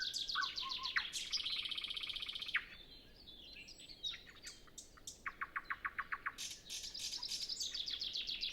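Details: Before sunrise on a windless morning, with other birds still quiet, a nightingale recorded with a Zoom F6 and Sennheiser MKH 8040 delivers dense buzzy trills, then about ten evenly repeated loud notes.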